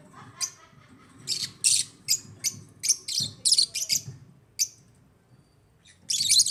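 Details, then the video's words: African lovebirds kept as pets in an aviary, giving sharp, high chirps in irregular bursts, several overlapping, with a loud burst of chatter at the end and faint low rumbling beneath. "AFRICAN LOVEBIRDS CHIRPING SOUNDS"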